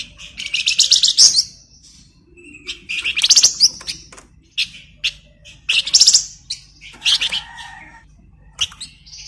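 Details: Flamboyan bird song as a master recording for training magpie-robins: repeated loud bursts of fast, shrill, pulsing trills every couple of seconds, separated by scattered high chirps.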